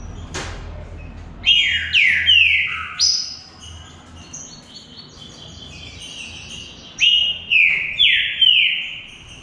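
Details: Green-winged saltator singing in a contest between two birds: bursts of loud whistled notes that slide downward, a quieter stretch of softer higher notes in the middle, then another run of descending whistles.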